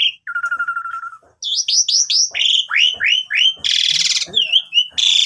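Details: Lure song from an Asian pied starling for teaching young birds, recorded on Chinese New Year; a flat buzzy trill, then a run of repeated downslurred whistles, a loud harsh rasping burst and more whistles.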